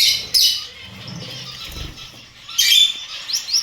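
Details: Pet Gouldian finch uttering a sharp high chirp burst, a lull with soft low thumps, then another bright chirping burst with rising flicks near the end.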